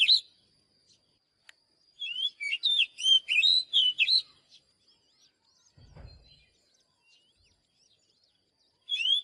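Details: Oriental magpie-robin sings a two-second burst of rapid varied whistles and chirps, then falls mostly quiet apart from a faint low thud and soft notes, and resumes briefly at the end.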